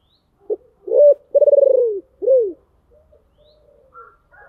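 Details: Spotted dove kept as a decoy, its deep, hoarse call meant to lure wild birds. A single phrase: a brief note, an upslurred coo, a long vibrating, pulsed coo and a downward-curving final coo, followed by faint soft chirps.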